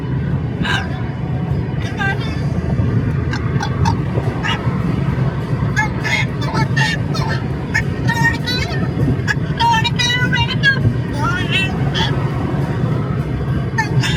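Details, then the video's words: Amazon parrot talking non-stop during a car ride, harmonic squawks and speech-like chatter repeated in bursts over a steady low engine rumble. "Parrot talking in car non-stop"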